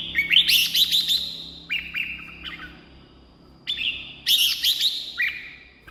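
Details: Song of a red-whiskered bulbul used to stir up caged birds or attract wild birds: rich, quick warbled phrases alternating with short whistled notes, over a steady low background hum.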